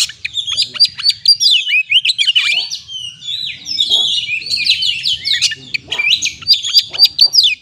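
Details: White-rumped shama lure song meant to get stressed birds singing. Continuous rich warbling: rapid whistled slurs, chattering notes and sharp chips run without a break, bright and loud throughout.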